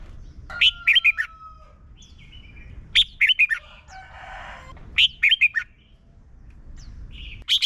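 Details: Red-whiskered bulbul from Thailand, its song used for training young birds: short groups of three or four quick chirping notes about every two seconds, with a long thin whistle and a soft rasping noise between phrases.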